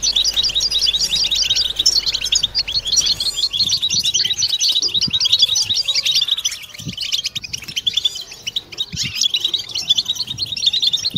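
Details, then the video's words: Many European goldfinches twittering at once, a group song to stimulate mating song and end silence. Thick, jangling chatter is steady throughout, softening slightly in the middle, over a low hum during the first few seconds. "بتبتة حسون جماعية ضرورية لعلاج سكوت+تحفيز إنات لحسون قوى بتبتة جماعية لتحفيز حسون على تغريدة تزاوج"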